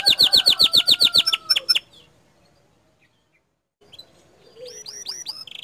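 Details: Bottle-green canary with provoking 'tembakan' song: a fast series of loud high chips over a faint lower whistle, a pause of near silence, then quieter upslurred notes and a short buzzy note.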